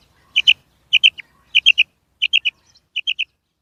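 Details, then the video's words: Female quail calling, known locally as batair or bedana: short clipped notes in tight groups of two or three, groups repeated roughly every half second to second, with a silent background. "Female Batair Sound"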